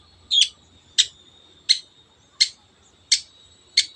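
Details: Long-tailed shrike repeating a short sharp 'teot' note about every 0.7 seconds, six times in a row, part of a recording used to excite other birds into song; quiet background.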